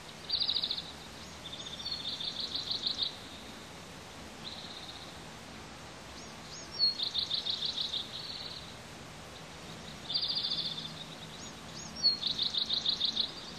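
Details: High, rapid peeping from two bald eagle eaglets panting on their nest in the heat: three separate bouts of fast, even peep series, each with louder clipped notes, separated by quieter, sustained thin peeping.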